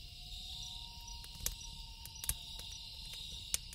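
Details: Loon calling at night by a lake, a long, steady, low wailing tone held for more than three seconds, set against a dense chorus of crickets and the sharp pops of a crackling campfire.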